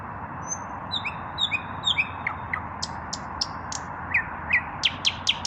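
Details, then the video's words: In evening song, an unpaired male common nightingale gives faint thin whistles and soft slurred notes, then a run of loud, sharp, descending notes that quicken toward the end, with steady background noise. "Наслаждаюсь вечерней песней соловья"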